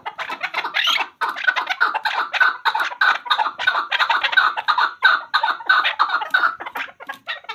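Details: Chukar partridge, described as a hunter chakor, giving a steady series of harsh clucking notes, roughly one and a half per second, each a short burst with energy around the mid range, continuing without pause across the recording.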